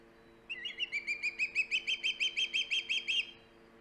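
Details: Osprey at its nest on Hog Island, filmed by live nest camera on 3 September 2019: a fast run of about fifteen sharp whistled chirps, evenly spaced, over a steady low electrical hum.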